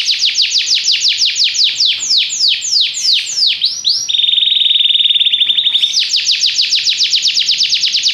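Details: Belgian canary delivering fast series of high descending whistled sweeps, switching to a lower, very rapid even trill held for nearly two seconds, then returning to quick repeated sweeping notes.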